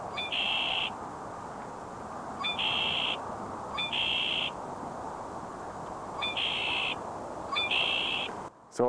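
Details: A male Red-winged Blackbird sings at a cattail wetland in southern Alberta in May 2017: a short sharp note and then a harsh, buzzy trill, given five times in nine seconds over steady broadband hiss.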